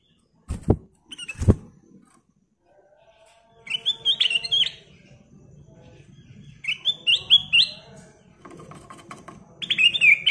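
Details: A Golden-fronted leafbird sings bursts of quick, varied, high, bright warbling and chattering phrases every couple of seconds, after two dull thumps at the start, with a low hum underneath.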